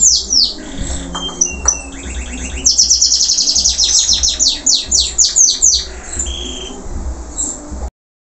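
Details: Energetic song of a local canary after its moult: chattering notes and short whistles build into a fast, rhythmic trill of falling notes, then slower sweeps before stopping.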